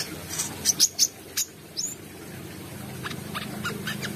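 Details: Brown-throated sunbird singing with open beak, a burst of loud, piercing high chirps and one downslurred whistle in the first two seconds, then fainter distant notes over low hum.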